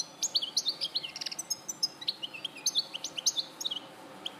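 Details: [1, 'European goldfinch recorded in Larache in 2014, singing a rapid run of bright, high twittering notes and short liquid trills, each burst a fraction of a second apart, over a faint steady hiss.']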